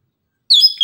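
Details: Brief fragment of an Orange-headed thrush's morning song: a short clear whistled phrase that drops in pitch, then a thin high note.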